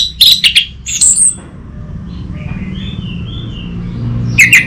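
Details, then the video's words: Orange-headed thrush lure song: a few quick, sharp chirps and a rising whistle at the start, a softer warbling stretch, then a single bright note at the end. "Pancingan dan Masteran Burung ANIS MERAH"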